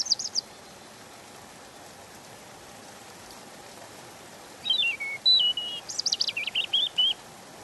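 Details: European robin delivering a long fluid phrase of tumbling, wavering whistles that slide up and down, preceded by a brief high note, with steady soft hiss behind.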